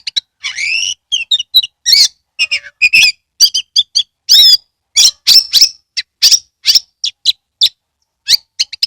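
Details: Oriental magpie-robin in continuous rich song, played to prompt other birds to sing; dense run of whistles, trills and buzzy notes with barely any pauses.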